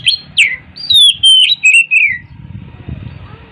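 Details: Oriental magpie-robin in morning song, giving a short sequence of sweet whistled notes that slide downward, ending in a falling slurred whistle, followed by quiet low background rumble.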